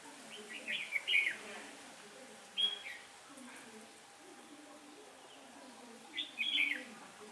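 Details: Red-whiskered bulbul decoy singing while trapping on a windy day in October 2017: lively whistled phrases with quick up-and-down slurs, a single sharp note midway, then a final warbled burst, quiet background otherwise.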